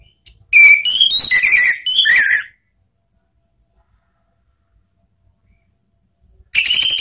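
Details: Orange-headed thrush from Indonesia, caged and used to prompt other birds to sing: a two-second phrase of bright rising and falling whistles with high squeaks, a long silence, then a new phrase starting.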